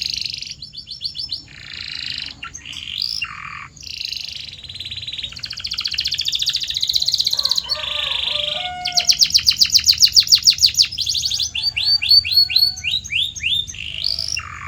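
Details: Long canary song offered to encourage caged canaries to sing: varied trills and buzzy rolls, a low liquid passage, a loud fast series of sharp notes, then downslurred whistles.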